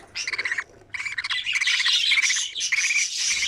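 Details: Budgerigar chicks in their nest, feeding one another: short bursts of rasping, pulsed squawks with a brief silence before a longer run of rough chatter.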